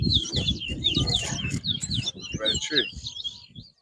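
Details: Towa towa in a 2022 whistling competition at Bath Settlement, Guyana, delivering rapid high looping whistles and trills in quick bursts over heavy low rumbling noise and people talking nearby.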